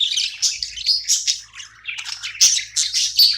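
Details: Budgerigar chirping while playing, short runs of scratchy high chirps rising and falling, with a couple of sharp squeaks and faint low hum.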